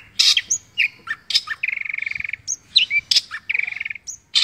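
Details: Cendet (long-tailed shrike) mimicking other birds: harsh bursts, thin high whistles, and two sustained buzzy trills, separated by scratchy chips and short squeaks.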